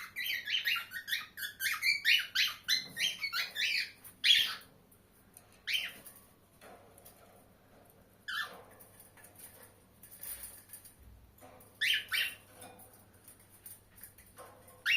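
A cockatiel sings a run of bright, high chirps and whistles, then breaks into scattered sharp notes.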